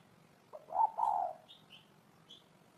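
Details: Single low mellow coo phrase of a spotted dove, a soft lead note running into two fuller hooting notes, with a few faint high chirps from other birds afterwards.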